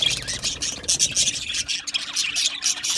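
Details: Budgerigar flock in an aviary giving a busy stream of high, scratchy chirps and warbling chatter, many voices overlapping without pause.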